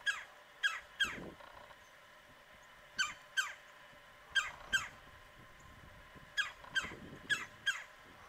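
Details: On a frigid mid-January morning near 9 am, a woodpecker about 45 yards off gives loud, raspy churring notes in pairs and short runs, with groups separated by pauses of one to two seconds.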